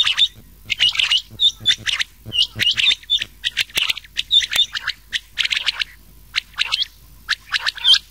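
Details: Rain quail mixed with a second quail voice, a recording meant for summer night hunting: clusters of shrill, clipped chirps and short hooked whistles, overlapping callers, bursts every half second or so.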